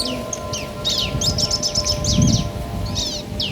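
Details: Male and female bar-winged prinias answering each other: scattered high, sharply arched chirps and short downslurred notes over a steady low hum and rumbling background noise.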